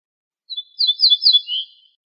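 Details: Ortolan bunting from a birdsong CD, locally al-bouh: one high sweet phrase of several repeated slurred whistles, swelling in the middle and closing on a lower drawn-out note, clean and isolated.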